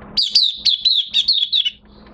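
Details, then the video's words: Oriental white-eye in minor moult delivering a short, fast phrase of about ten high, slurred chirps run together into a twittering line lasting under two seconds. "Mata Puteh Kitaro V1 buka sing in minor moult"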